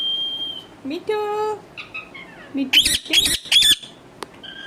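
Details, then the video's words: Pet talking parrot with a level whistle, a nasal tonal note, low murmuring sounds, then three harsh squawks in quick succession and a faint final whistle. "bolane wala tota"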